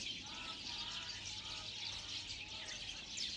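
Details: Steady high-pitched bird chirping from several birds outdoors, busy overlapping tweets forming a constant chorus with a few lower, faint whistled notes beneath.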